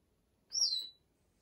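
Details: Female Congo African grey parrot, 34 years old, settling down and talking herself to sleep. A single high, shrill squeak that sweeps downward for about half a second, with faint low murmurs beneath and otherwise near silence.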